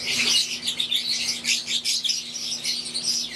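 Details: Aviary-kept wild-type green Fischer's lovebirds and Euwing lovebirds give rapid, piercing chirps and squeaky twitters in a continuous flock chorus, backed by a steady mechanical hum.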